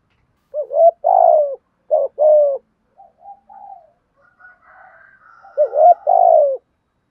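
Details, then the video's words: Spotted dove cooing in thúc gù style, giọng thổ voice: several loud two-part phrases of clipped notes and long falling hoots, with a gap of soft, low murmuring coos in the middle. "cu gáy thúc gù giọng thổ"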